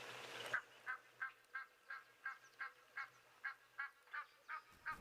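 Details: Egyptian geese giving alarm calls to alert others that a jackal is close by, a threat to goslings: a steady series of about fourteen harsh honks, roughly three per second, after a brief louder rush of noise at the start.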